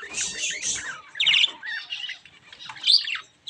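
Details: White and grey Java sparrows give high, clipped chirps and short twittering bursts in irregular bouts, with several birds calling over one another.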